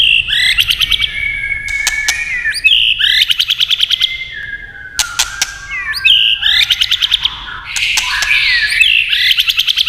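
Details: White-rumped shama singing as tail-tapping clicks prompt it: fast buzzy trilled bursts around a high pitch, repeated every second or so, with sliding whistles between and sharp tapping clicks.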